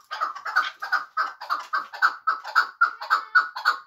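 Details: Chukar partridge of Muminobod, kept for hunting, repeating clear, hoarse chuck notes at an even pace of nearly three per second.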